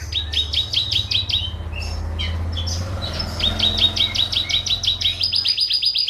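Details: Caged canary song, a champion-style bird used as a master tutor for home songbirds: fast trilled phrases of repeated high notes, a pause, then another rapid rolling trill, over a low steady hum.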